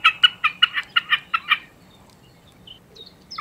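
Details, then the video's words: Common snipe singing: a quick, even run of about nine harsh, clipped notes at roughly five per second over a second and a half, then near-quiet with faint thin notes from other birds. "田鷸(扇尾沙錐)/Common Snipe(Gallinago gallinago)singing"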